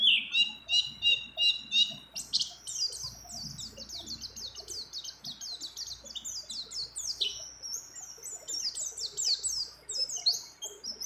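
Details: Mountain white-eye female in breeding condition calling for a male, its song filled with other birds' phrases: opens with a few repeated buzzy notes, then races into a steady chatter of high, quickly repeated slurred chirps over low background rumble.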